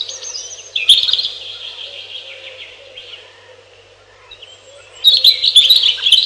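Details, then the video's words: Robin song with a high warbled phrase of slurred, quavering notes, a long quieter stretch of faint chirps, then another lively burst of rapid twittering at the end. "1 Hour Robin Bird"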